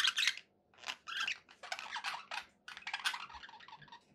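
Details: Budgerigars in brief bursts of squeaky, raspy chatter repeated every half second or so, over a soft background hum.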